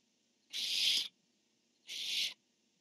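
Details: Barn owls recorded by a nest camera as the male calls and the female answers: two harsh, noisy screeches, the first longer and louder, about a second and a half apart.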